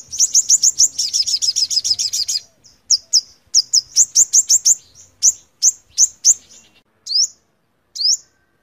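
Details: A five-coloured sunbird sings a fast, very high twittering trill for about two seconds, then a series of sharp, thin chirps spaced about half a second apart.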